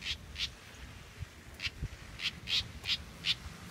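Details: Young house wren fledgling, hatched in a backyard in Brazil, giving short, harsh, buzzy notes in bursts of about two to three per second, with faint low background rumble.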